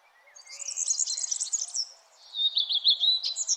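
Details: Birds chirping in the early morning at sunrise, a continuous high twittering warble followed by a run of sharp, slurred high notes repeated rapidly.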